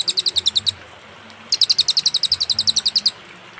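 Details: Clear cililin song with pauses, recorded as master material for teaching songbirds: a run of high, sharp chirps, a silent break of almost a second, then another rapid, evenly paced series of piercing notes.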